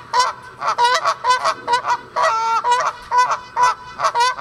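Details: Canada geese from several pairs living at a pond, honking as they fly off: loud, nasal honks repeated rapidly and irregularly, overlapping from several birds, with one longer drawn-out honk midway.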